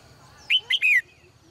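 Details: Caged female bird singing in the morning, giving one quick three-note phrase of clear whistles, the last note sliding downward, over a faint low hum.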